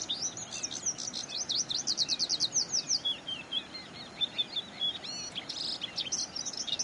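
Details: An Oriental Skylark in Zhushan, Taiwan, in May, pours out a high, unbroken stream of fast buzzy trills and sharp chirps, shifting phrases every second or so over a soft background hiss.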